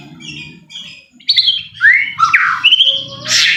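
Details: White-rumped shama song intended to goad a bird into singing: after quiet notes, loud rising and falling slurred whistles follow quickly, ending in a harsh buzzy burst.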